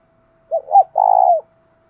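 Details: Decoy spotted dove with a 'thổ đồng' voice, calling to attract wild doves. It utters two short rounded coos and then a drawn-out, steady, low coo that drops slightly before ending, over a faint constant hum.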